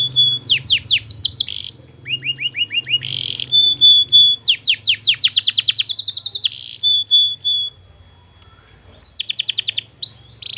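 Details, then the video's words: Canary singing a long tutor song meant to make other canaries answer: rapid repeated sweeping notes in fast trilled runs, steady whistled tones and a pause, over a low hum. "masteran burung kenari durasi panjang"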